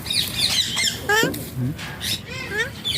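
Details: Alexandrine parakeet, known locally as pahaadi tota, making funny talking sounds: a quick run of harsh, harmonic squawks and rising, wavering voice-like phrases. Steady low background hum throughout.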